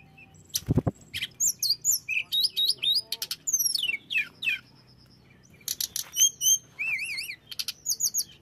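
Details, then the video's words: Hill blue flycatcher singing, a song played to make other birds angry: a dense run of sweeping high whistles, upward and downward slurs, buzzy notes and a wavering warbled phrase. "setelah dengar ini tledekan jenis apapun akan cepat esmosi"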